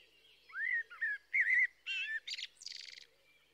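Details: Blackbird singing: a run of low, fluting whistled phrases that rise and fall, ending in a burst of high, scratchy twittering notes.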